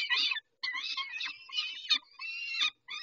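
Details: Peregrine falcons calling at feeding time at Dobra, 11:48, 19-05-21. Rasping, noisy screeches follow each other almost without pause, with brief gaps between bursts.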